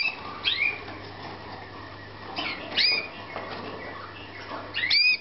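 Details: Slavujar canaries in a Romanian breeding room, 2014: bright upslurred chirps sweeping upward, each with a fainter lower echo, in clusters about every two seconds over a steady low hum and soft rustling.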